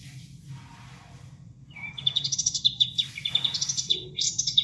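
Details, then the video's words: Bulbul (kapas tembak) song used as tutor material for caged songbirds: soft start, then a fast run of sharp high chirps and trilled phrases, with a steady low rush of water underneath. "Masteran Kapas Tembak"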